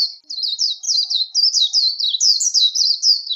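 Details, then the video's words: Warbling white-eye in fighting-style song for voice training, with no background noise. Dense high chattering warble, notes tumbling in rapid rising-falling sweeps without pause. "VÀNH KHUYÊN líu HÓT ĐẤU"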